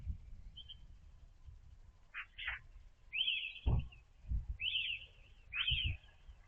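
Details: A European robin at early morning delivers high, slightly descending warbled phrases roughly once a second, with a few sharp clicks and low thumping knocks in the background.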